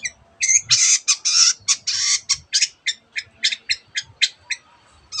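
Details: Long-tailed shrike in full song, mimicking canary and many other bird species: a fast run of loud, high, scratchy trills and chattering bursts, followed by a series of short, sharp, clipped notes given about twice per second.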